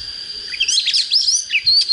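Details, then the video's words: An Oriental magpie-robin just coming into singing form, with a standard-quality voice, sings a rapid, varied run of clear, high whistles and twittering slurs, warbling continuously without pause. "Chích chòe than mộc CHỚM LỬA || có chất GIỌNG CHUẨN"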